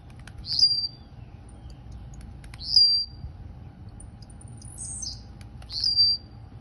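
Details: Kept blue-black grassquit from Campo Grande, Rio de Janeiro, singing in the campainha style: a short, high, buzzy whistled note repeated roughly every two and a half seconds over a steady low hum.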